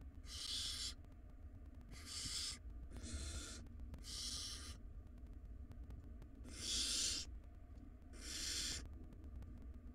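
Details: Barn owl chicks, wild, inside a nest box and fighting over a large rodent. Six rasping hiss bursts of roughly a second each at uneven intervals, some louder than others, over a low background rumble.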